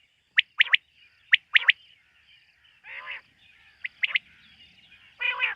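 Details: Quail calling at night, giving crisp, high three-note phrases in quick triplets, spaced roughly a second apart, with a couple of rasping, buzzy lower calls in between; the surroundings are otherwise quiet.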